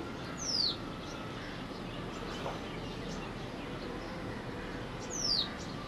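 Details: White-browed wagtail (Motacilla madaraspatensis) calling at Valparai: two thin, high whistled notes that slide steeply downward, spaced about five seconds apart, over steady background hiss.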